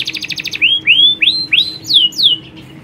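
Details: Colony of canaries, females calling males and a male in full song, used to stimulate breeding; a fast buzzy trill gives way to a series of bright upslurred whistled notes repeated about every third of a second.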